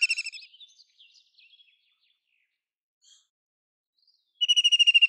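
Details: Tail of one White-throated kingfisher trill, then a few soft scattered notes and a long quiet gap, before a fresh loud rapid trill starts near the end.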